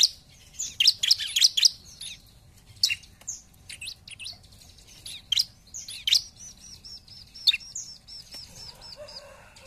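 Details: Bar-winged prinia singing as a lure: an opening flurry of loud high chirps, then sparser notes, ending with a soft, fast run of small evenly spaced high notes.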